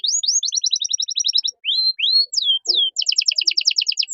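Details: Canary singing cengkok mewah as masteran for training caged songbirds: rapid paired-note trills, a few slow upward and downward whistled slurs, then another fast rattling trill.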